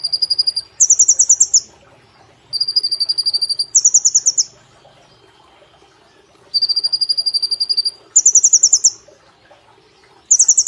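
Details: A brown-throated sunbird in a cage repeats paired bursts of fast, high, machine-gun-like notes. A steadier, lower-pitched series is followed by a higher, buzzier one, with gaps of a second or more in a quiet setting.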